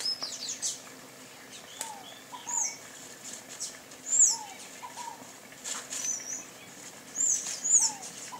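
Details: Sayaca tanager giving scattered shrill, high squeaky calls a few seconds apart, with lower paired falling whistles of another bird repeated between them.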